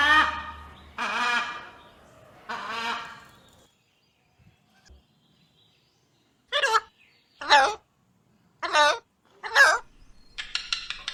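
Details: Ringneck parrot calling "mitthu": three longer voiced, speech-like phrases, a silent gap, then four short harsh shrieks in quick succession and a final buzzy burst.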